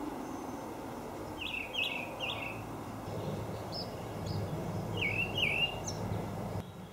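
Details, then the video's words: Olive thrush making paired downslurred whistles, two in quick succession early and two more a few seconds later, with faint high ticks and low rumble behind. "Olive Thrush call"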